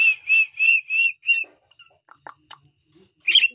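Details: Cockatiel kept as a pet, whistling a string of five short, even whistled notes, then quiet clicks and a final brief whistle burst.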